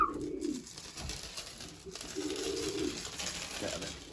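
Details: Young racing pigeons at their loft as food is thrown down to them give low, soft coos in two drawn-out phrases, one early and one near the middle, inside a small room with faint speech and rustling.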